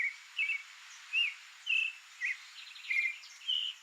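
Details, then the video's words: Creamy-bellied thrush (Turdus amaurochalinus, sabiá-poca) in its natural habitat in Brazil sings short, varied warbled phrases, each under half a second, about one per second, over a steady high insect hum. "SOUNDS of CREAMY-BELLIED THRUSH"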